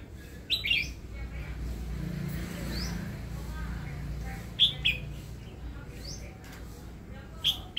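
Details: Red-whiskered bulbul kept in a cage for its voice, a new bird, uttering brief sharp chirped notes in scattered bursts, among faint upslurred whistles and a constant low rumble.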